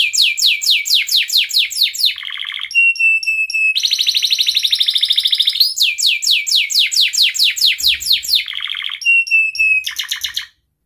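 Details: Male canary in breeding condition singing to call a rival, a lure for young birds: rapid series of sweeping chirps, short rolled trills, a steady pure whistled note, then a long fast rattling trill, repeating.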